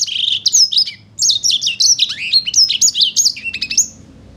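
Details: Vigorous singing from a sanger paud: quick sequences of high, sharp whistled notes, many with swooping downslurs, broken by one short pause before another dense rush of chips and whistles that trails off.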